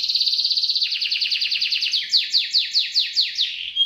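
A canary sings a fast, high buzzy roll of about fifteen notes a second, then switches to slower, sweeping downslurred whistles about five a second.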